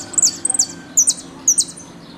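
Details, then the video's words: Argentine goldfinch singing the "El Meryl" style with knocks and whistles: sharp high whistled notes, some doubled, repeated roughly every half second over a quiet background. "JILGUERO AUDIO "EL MERYL" ( golpe y pitadas)"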